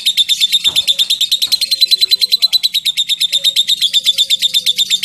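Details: Lovebird chattering in the long ngekek style, with a rapid run of piercing, buzzy ticks that stays steady throughout. A couple of dull knocks sound faintly behind it.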